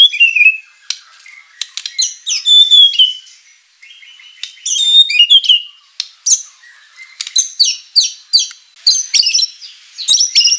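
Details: White-rumped shama singing vigorously with rich fill-in phrases, meant as a lure to make other birds respond: high, thin, varied whistles and trills in bursts separated by short gaps, with sharp upslurred notes and scratchy chatter.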